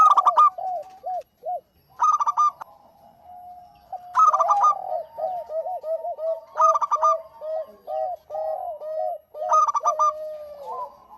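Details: Long stretch of local zebra dove song, with five rapid ringing bursts recurring about every two to three seconds over an almost continuous bed of bubbling lower coos.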